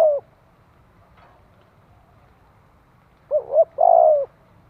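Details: Spotted dove calling for training young cage birds and firing up their fighting spirit: after a clipped note and near silence, a short double coo is followed by a long, slightly falling, hoarse coo.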